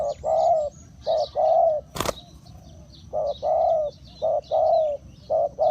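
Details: Decoy spotted dove luring wild birds with broad, throaty coos in short-long pairs, repeated steadily. A sharp click cuts in once near the start, and faint high chirps of other birds run through the background.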